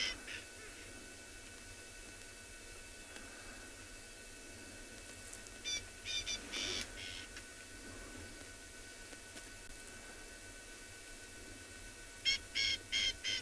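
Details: Two Coqui francolins (Campocolinus coqui) call back and forth, communicating rather than alarming, one answering the other, in two bursts of four or five harsh, rapid, evenly spaced notes, at sunrise on a cold morning with wet grass, Tswalu Kalahari Reserve, South Africa, 13 November.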